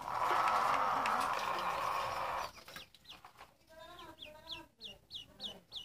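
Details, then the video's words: Duckling chirps follow a stretch of steady background hiss: sharp, high, slightly descending peeps repeated about three times a second, growing clearer toward the close. "Silly ducklings Chirping Sounds"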